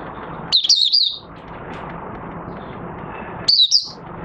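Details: Oriental white-eye, a kept bird after three months of night sleep training, singing with its cage cover opened on 25 August 2022: two brief, high, twittering warbled phrases about three seconds apart over a steady background hum.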